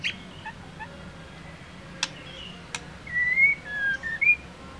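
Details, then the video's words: Female white-rumped shama, whose voice is used to excite a male, giving a few soft notes, then a clearer phrase of whistled slurs near the end, with two sharp ticks earlier. "Murai batu betina gacor untuk pendongrak emosi jantan agar gacor"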